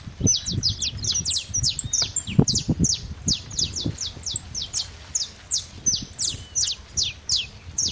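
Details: Bright, rapid, high-pitched saffron finch chirps sliding downward, repeated steadily through the whole stretch, with soft low bumps and rustling in the background.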